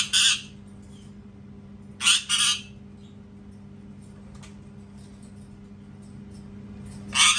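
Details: Piercing parrot scream bursts: a short squawk, then a doubled rasping scream near two seconds, and another at the end, separated by long quiet gaps with low hum.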